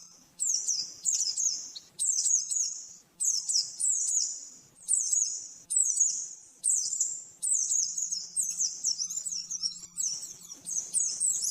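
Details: Caged-bird training song of the oriental white-eye in the rapid 'nembak-nembak' style: short, high, tumbling twittered phrases repeated roughly every second with brief breaks between them, plus a faint low hum.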